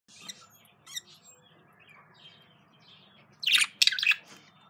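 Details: Breeding pair of budgerigars chatter in soft scratchy warbles, then give a burst of loud, harsh squawks near the end; faint low room hum underneath.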